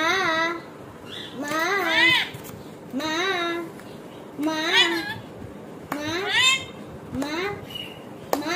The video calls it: Rainbow Lorikeet talking